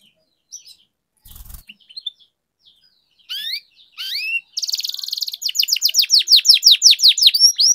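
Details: Canary song used as a lure to get silent canaries singing: scattered short chirps and rising whistles, then a fast, regular rolling trill of downward-sweeping high notes repeated about three times a second.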